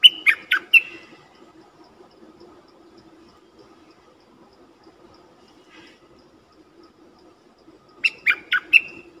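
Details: Lure call of a streak-eared bulbul for bird trapping with a decoy: a burst of four sharp, chattering notes, a long quiet stretch with faint hum and one soft distant note, then another burst of four notes ending in a short whistle.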